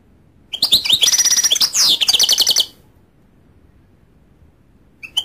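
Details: Goldfinch giving a brief, rapid twitter of bright, high chirps and trilled notes lasting around two seconds, followed by quiet with a faint chirp at the end.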